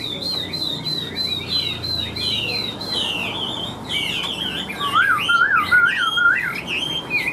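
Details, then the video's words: Caged Chinese hwamei, a large bird with a yellow beak and legs, delivering a varied medley of high whistles, then lower looping whistled notes repeated in a quick rolling rhythm. "Chim Họa Mi Hót Vẩy Đuôi Khướu"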